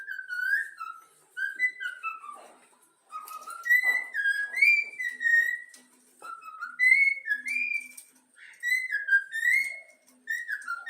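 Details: Young yellow-cheeked pet cockatiel whistling the Flamengo anthem: clear, slurred whistled phrases, some rising, some falling, in bursts of a second or two separated by short pauses, with faint clicks between notes.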